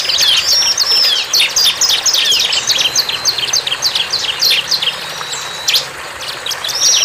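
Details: Wild bar-winged prinia in vigorous song: fast, sharp high chips at about three per second. A buzzy trill-like stretch leads into fewer scattered notes, then a final short phrase.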